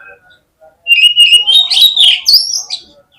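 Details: Oriental magpie-robin singing on a lure recording meant to trigger other magpie-robins. A loud, rapid, warbling whistle climbs steadily over about two seconds, breaking into twisting high notes at the end.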